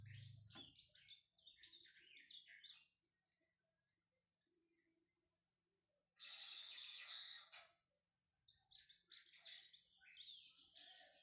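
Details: Lined Seedeater, a brown-plumaged kept bird warming up, gives three bursts of fast, scratchy high twittering separated by quiet gaps, the middle burst buzzier and lower.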